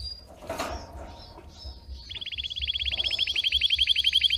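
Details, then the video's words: Red Belgian canary singing intensely for training: after a stretch of soft background noise and a few faint notes, a fast rattling trill begins and grows steadily louder, notes repeating rapidly and evenly, over a low rumbling hum. "Canário belga vermelho canta muito gargata profunda e intensa para treinar"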